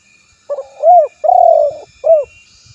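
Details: Male-style rival calling by a spotted dove, recorded for luring: short note, arched coo, long vibrating coo and a clipped final coo, low and mellow, with faint low knocks afterwards.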